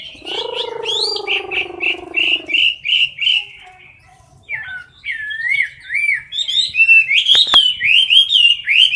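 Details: Chinese hwamei in a cage giving competition song up close: whistled notes over a steady low humming tone for the first seconds, a brief lull, then bright rolling whistles and twisting slurs repeated quickly, with a sharp click partway.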